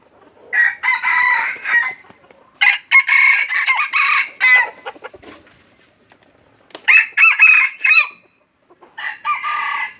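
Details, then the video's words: Aceh red junglefowl lure call: repeated loud, hoarse, clipped crows in several bursts with short gaps, each rough and broken, over a quiet background. "Ayam Hutan Aceh # Pikat Ori"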